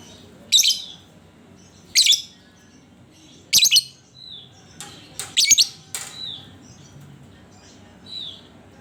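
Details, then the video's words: Lure recording of a lovebird's ngekek to set other lovebirds singing: harsh, buzzy chatter bursts every second or two, some doubled, with short high whistled notes from other birds between them. "Panciangan Burung Lovebird"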